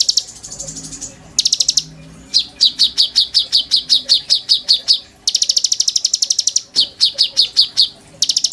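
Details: Oriental magpie-robin kept caged, singing in bowing style as a tutor for white-rumped shama song: long bursts of high buzzy trills broken by series of loud, crisp repeated chirps, with faint low murmuring beneath.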